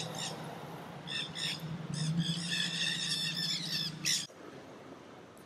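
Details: Pandemonium of feral black-hooded nanday parakeets eating in crape myrtles in downtown St. Petersburg, Florida; dense, rapid, grating squawks from many birds overlapping, ending abruptly after four seconds, with low hum underneath.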